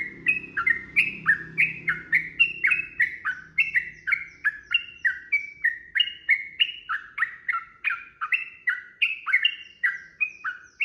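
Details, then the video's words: Sooty-headed bulbul in long rapid fighting song used as a lure to prompt an answer: unbroken series of chirpy falling double notes, about three per second, over a low hum that fades in the first half. "trucukan gacor TARUNG ROPEL PANJANG pancingan trucukan agar bunyi jadikan burung trucuk gacor NYAUT"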